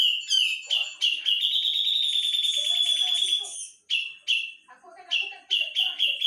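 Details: Javan cucak jenggot in full gacor song: opening sharp chirps build into a long, piercing, rapidly pulsed whistle, then a brief break and renewed quick bright chirps with low chatter beneath.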